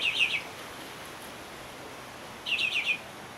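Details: Bahama mockingbird calling in the Bahamas, giving a short rapid series of four bright chirped notes, then a silence of about two seconds before an almost identical series repeats; little other sound.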